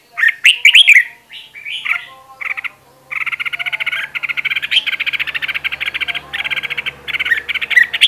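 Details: Caged decoy red-whiskered bulbul for voice training, in a fired-up state, opening with a few warbled whistled phrases, then breaking into a long, fast, buzzy chattering trill that runs for about five seconds with small breaks.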